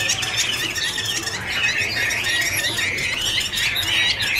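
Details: Chinese hwamei (Garrulax canorus) singing as a duet while dancing with fanned wings; a continuous, dense, high warble of rapid, twisting notes with no pauses, over a faint low hum.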